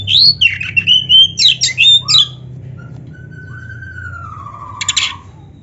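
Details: Oriental magpie-robin singing nonstop: a burst of loud, twisting whistles and rasps, then a long, soft, drawn-out whistle slowly gliding down, ending in a short harsh rattle, with a low hum beneath.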